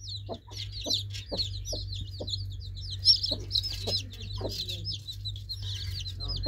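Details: Baby chicks chirping: a dense chorus of many high, short, down-slurred peeps running continuously, with scattered lower clucking notes and a steady low hum underneath.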